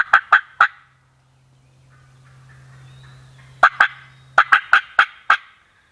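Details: Wild turkey gobbler during a hunt, with loud, sharp, clipped notes: three quick ones, a pause with a low steady hum, then a burst of seven rapid notes.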